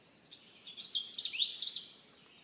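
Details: Canada warbler (Cardellina canadensis), song.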